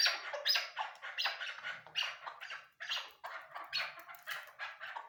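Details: Loud, harsh chuck notes from a female Chukar partridge, given in quick bunches with a short pause midway, bright and raspy in tone.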